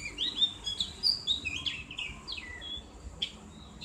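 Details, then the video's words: Javan grey-throated white-eye in ngriwik style with a clear ngeplong voice, used as a training song: quick high chirps and down-slurred whistles, about four notes a second, over quiet background hum. "terapi ngriwik buat burung opior jawa/cak gentong | suara ngeplong"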